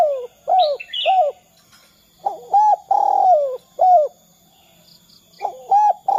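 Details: Low, bowed coos of a spotted dove, played to lure other doves into calling, come in phrases of quick notes, one long sliding coo, a pause and another phrase; a brief higher chirp from another bird near the start.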